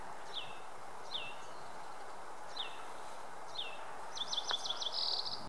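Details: A Yellow-eyed Junco singing in Willow Canyon on Mt. Lemmon, Arizona gives four thin, high, down-slurred notes, then a quick jumbled trill of bright chips, over a steady low rumble; a Hutton's Vireo's regular call sounds in the background.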